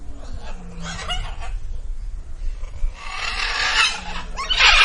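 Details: A female Indian peafowl (peahen) at Villa Dolores zoo gives harsh, raspy honking bursts, two clusters a few seconds apart, over a steady background hum.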